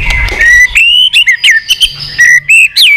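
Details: White-rumped shama, a wild-caught forest bird in a singing contest, gives a string of loud clear whistles rising and falling, broken by short sharp clicks, over faint low hum.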